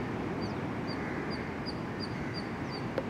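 Plovers give a run of short, high, thin piping notes, about three per second, over a steady roar of wind or surf.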